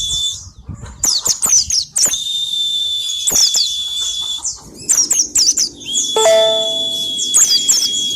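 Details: White-eye singing its 'ngalas' song with 'isian' fill-ins, a recording used to lure birds into singing: busy high twitters and slurred chirps over a held thin whistle, with a brief steady electronic-like tone near the end.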